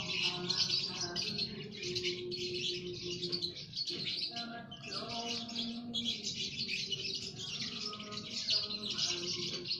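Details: Lovebirds kept as a colony in an aviary, every bird performing the drawn-out ngekek chatter: surging waves of high, scratchy twitters a second or two long, over sustained low humming tones.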